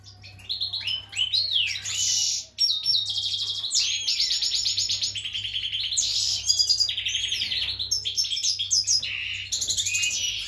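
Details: A mutation European goldfinch, ready and wanting to breed, sings a fast, tinkling run of high twittering notes, buzzy trills and liquid chirps, almost without pause, over a low steady hum.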